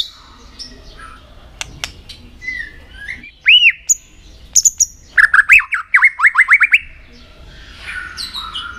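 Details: White-rumped shama being trained to sing for contests: quiet scattered notes, then a loud arching whistle and a rapid run of bright, repeated rising notes before fading.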